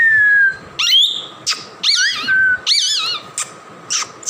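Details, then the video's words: Tamed two-year-old male plum-headed parakeet kept at home, making loud, squeaky, wavering high calls in rapid bursts, several chattering notes with quick pitch wobbles and short gaps between them. "Talking Plum Headed Parrot"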